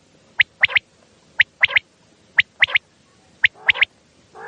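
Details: Common quail calling at night, a sound used to lure quail for hunting. A clean rhythmic pattern repeats once a second: a single sharp note, then a quick pair. One rough note comes at the end.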